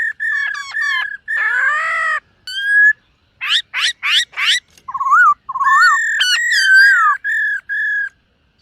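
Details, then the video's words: Varied morning singing from a dancing silver-eared laughingthrush in voice training. Short warbled phrases lead to a long, rich note, then three fast upward sweeps, lower wavering whistles, and a string of bright, slurred notes. "Khướu BẠC MÁ hót MÚA luyện giọng . Khướu hót sáng luyện giọng kích bổi"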